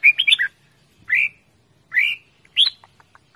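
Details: Red-whiskered bulbul kept as a pet, calling loudly: a quick trill of chirps followed by several separate rich upslurred whistles, each about a quarter second long, spaced roughly a second apart.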